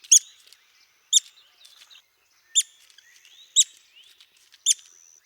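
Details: ['Red-cockaded woodpecker of southeastern United States pine forests giving single sharp, high squeaky notes about once a second, each followed by faint softer chatter.']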